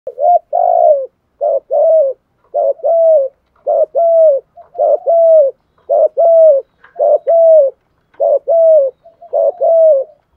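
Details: Spotted dove used as a lure bird, giving its driving 'thúc gù' coo: paired low hooting phrases, each a short note then a longer one, repeated steadily about every second with clean, quiet background.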